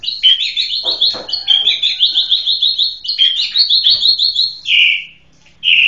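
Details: Singing white-rumped shama pours out dense, rapid high trills and chattering phrases for about five seconds with little pause, ending in two short, lower, slurred notes separated by a brief silence.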